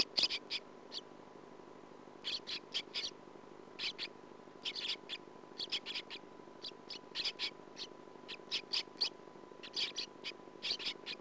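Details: Sand martin (Riparia riparia) nestlings, roughly 17–18 days after hatching and near fledging, give short, raspy, metallic chirps in quick bursts of three to five, repeated every second or so, over a steady faint hum.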